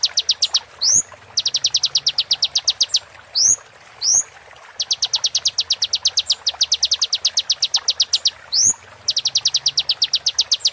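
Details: Oriental white-eye song used for training a moulting bird: long rolling trills of rapid high notes broken by short, sharp upslurred whistles, the trills resuming after each whistle.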